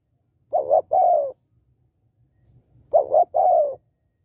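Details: Two cooing phrases from a female spotted dove calling to stimulate males, each a pair of short notes leading into a longer mellow coo that slides downward, roughly two and a half seconds apart.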